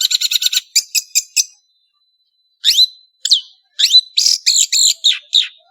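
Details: Singing cendet (long-tailed shrike): a fast rattle of dense chattering notes, a pause of over a second, then varied sharp upslurred whistles and rapid repeated chips.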